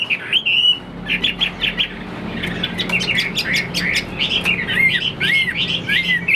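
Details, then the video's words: Caged Chinese hwamei, a tall-standing fighting bird that spreads its wings, sings loud whistled phrases that rise and fall in quick bursts, then clear looping slurred notes near the end, over a low steady hum. "Họa mi số 1118 Đấu xòe chơi cánh dáng cao"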